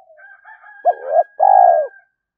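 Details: Low spotted dove coo from a training lure for young captive doves: soft lead-in murmurs, a short arched note, then a long even coo, over a faint steady tone.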